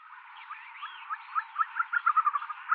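Tibetan snowcock giving a run of short, mid-pitched clucking notes that quicken and grow louder, after a faint rising whistle near the start.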